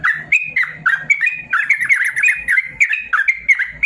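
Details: Yellow-vented bulbul, a tutor recording for caged birds that sing little, in 'ropel panjang' style: short liquid phrases, whistled upslurs and quick bubbling notes in rapid succession, with a faint low hum.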